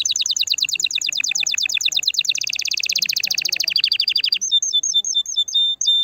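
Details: Canary song to excite a female: fast rolling trills changing pitch in several tours, ending with clean whistled notes repeated in a steady sequence.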